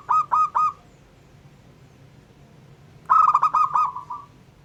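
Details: A local zebra dove sings to set off other doves: three loud clipped coos, a silent gap, then a fast run of ringing coos trailing into a soft trill, with low hum behind.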